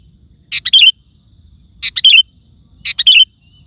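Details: Sooty-headed bulbul in lively song, played to call wild birds: three phrases a little over a second apart, each two quick chirps followed by a rolling bubbly flourish.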